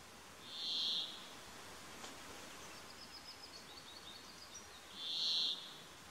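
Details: Brambling song: two long wheezy buzzes about four and a half seconds apart. Faint, high, ticking notes from another bird fill the gap between them over a soft background hiss.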